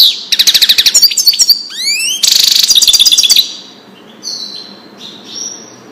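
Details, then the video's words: European goldfinch, Wedani song meant for chicks to learn: rapid high trills, a pair of sweeping rising whistles, a dense buzzy rattle, then fading thin whistled notes over a quiet background. "تغريد الحسون لتسميع الفراخ"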